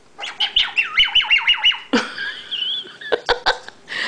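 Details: A 10-month-old female bare-eyed cockatoo (little corella) makes her "laser beam" noise: about eight quick, downward-sweeping chirps, then a harsh burst, a wavering whistle and sharp clicks.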